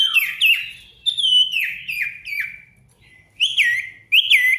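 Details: Ashy tailorbird, a lure recording of an intensely singing bird meant to provoke rivals and silent birds: loud whistled notes sliding downward, repeated in quick phrases with short pauses, clear and free of background noise.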